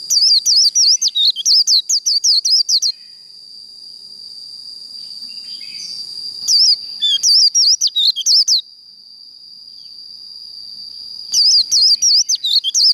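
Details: Japanese white-eye roused to a 'líu đấu' fighting song: three bursts of fast, high, warbled chirping separated by stretches of an even, thin high-pitched tone.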